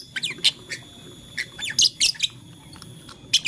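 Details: Morning lovebird, blue, lutino and green, playing with a flower, utters scattered thin high chirps and short squeaky notes, a tight burst of louder buzzy chirps in the middle, and one more chirp at the close.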